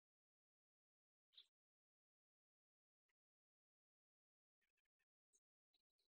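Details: Almost total silence broken by a few faint, brief clicks and taps.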